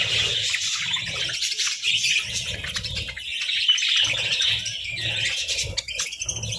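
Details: Budgerigars basking in the sun produce an unbroken stream of buzzy, chirping warble, with soft rhythmic low rustles in the background.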